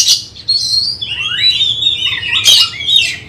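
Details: Oriental magpie-robin preparing for a songbird competition, with a long sweet whistled phrase that rises and falls smoothly, framed by short harsh bursts at the start and near the end.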